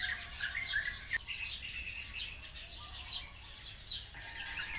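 Thin, high chirps and twittering notes come in uneven bursts about once a second, with sparrow chatter mixed in and a faint low rumble behind.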